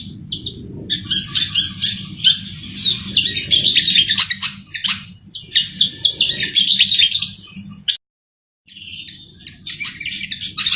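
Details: Javan flycatcher (sikatan jawa) in full, lively song, used as a lure for trapping birds: rapid high chattering and twittering bursts, brief whistles, a short silent gap near the end, and a constant low hum behind.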